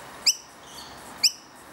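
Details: Fledgling noisy miner calling to its parents: two short, sharp, high chirps about one second apart, each with bright stacked overtones, over a faint steady background hiss.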